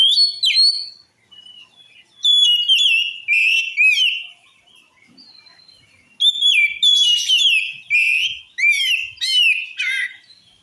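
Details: Male-provoking song of an oriental magpie-robin: loud bursts of varied whistles, sweeping slides and sharp chirps, a quiet gap around the middle, then a long lively phrase of mixed notes.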